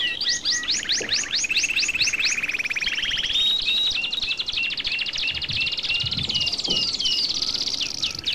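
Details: Goldfinch song, Carduelis carduelis, a small finch: a rapid, buzzy, tinkling twitter of fast repeated high notes, shifting into a dense trill and then scattered slurred chirps, with faint low knocks in the background.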